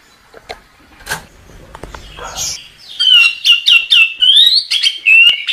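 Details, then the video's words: After a quiet start with faint rustling, a chestnut-capped thrush bursts into song: a rapid series of clear, high whistled notes linked by short slurs, repeated in a tight, energetic run. "Suara Burung Anis Kembang | Gacor"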